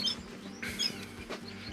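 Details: A room of canaries being prepared for the 2023 breeding season chirps together after being sorted into separate cages, raising the noise level, with high, thin twitters and short bright notes overlapping over a low steady hum.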